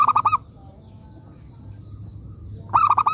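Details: Lure zebra dove of local stock: a fast, stuttering coo phrase opens, then a pause of about two seconds before the next rolling burst of pulsed notes begins.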